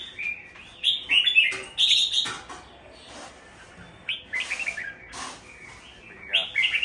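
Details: Red-whiskered Bulbul kept as a caged songbird in Vietnam: loud, lively chirped and warbled phrases, with sharp clicks and knocks, possibly cage noises, between the bursts.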